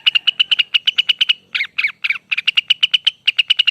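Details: Lesser green leafbird in a long rapid song: fast, evenly repeated sharp high notes, broken midway by a few buzzy, slurred phrases, then resuming the quick steady series.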